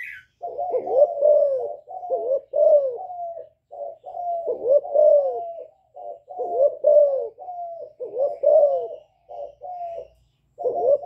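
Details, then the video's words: Young spotted dove in a decoy bout, combining calling coos and bowing coos: long, almost unbroken sequence of low hoarse rising-falling notes in repeated paired phrases, with faint low hum behind. "Cu gáy tơ gáy giọng hạp bổi GÁY GỌI + KÈM GÙ BO chim cu gáy chu lèo bài bản kích bổi hay. Cu đất gáy"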